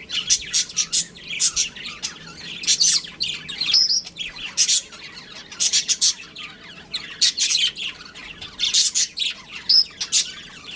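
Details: Continuous lively chirping from a pet budgerigar breeding pair, high scratchy notes packed in fast irregular bursts with occasional thin whistled accents throughout.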